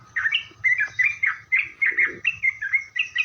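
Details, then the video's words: Sooty-headed bulbul song used as a lure for other bulbuls: about a dozen clear, chirpy whistled notes repeated at a brisk, steady pace, each note slightly inflected. "suara Trucukan gacor gaja Pikat ini Rajanya bikin nyaut trucuk"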